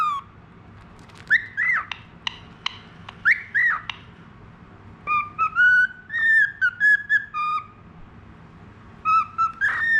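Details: Pet budgerigar of the falk type, tame and a keen whistler. Rapid clicking chatter and sharp warbled notes lead into a series of clean, repeated whistled phrases that rise and fall.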